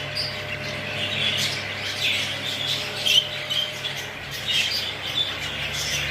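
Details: Exhibition and hogoromo English budgies calling with scattered chirps and squawks over a steady low electrical hum.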